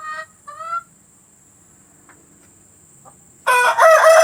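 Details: Chicken sounds meant to encourage hens to lay: two short nasal notes, a long near-silent stretch with faint clicks, then a sudden loud, harsh, rasping outburst at the end.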